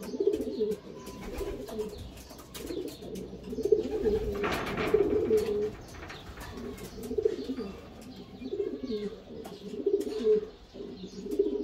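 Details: Homing pigeons kept by a carrier-pigeon breeder, cooing steadily: low, throaty rolling phrases repeated about every one to two seconds, overlapping, with a brief burst of rustling near the middle and occasional clicks.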